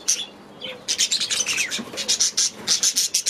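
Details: Aviary budgies call in fast series of high, clipped chirps, several per second, with short rising and falling warbles mixed in after a soft opening.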